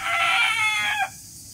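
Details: Morning crow of a rooster, one sustained rich harmonic note held about a second, then dropping away sharply at the end, over a faint low background hum.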